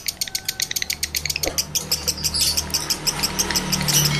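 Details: Lovebird male in strong breeding condition calling as a lure for other males; crisp chirps at a fast even beat, turning into a denser, louder chattering stretch toward the end.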